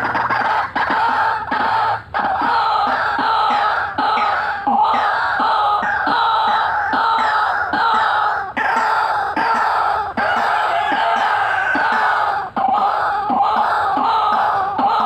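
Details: Vigorous white-breasted waterhen calling, full cackling and rolling: a continuous loud series of harsh, nasal croaks, steadily repeated over fifteen seconds with brief breaks.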